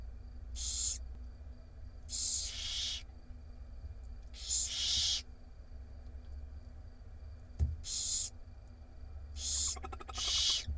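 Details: Barn owl chicks, six babies in a nest box camera in Israel, being fed by their mother on 8 April 2021: long harsh hissing screeches in bursts about every one to two seconds, over low hum.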